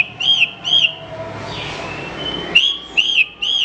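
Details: Horsfield's bush lark singing for training other birds: two quick falling whistles, a long soft hiss with a faint sliding note, then three loud whistles in fast succession.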